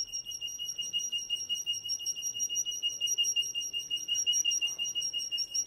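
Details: Male Russian canary singing: a sustained, rapid rolling trill held on one high pitch with bright overtones, pulsing steadily for several seconds over quiet room noise.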